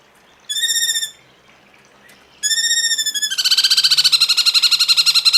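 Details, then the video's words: Cungkok song used as a tutor recording for training cage birds: two nasal, harmonic-rich notes about half a second each with a pause between, then a fast, steady run of pulsed notes continuing to the end. "masteran burung cungkok"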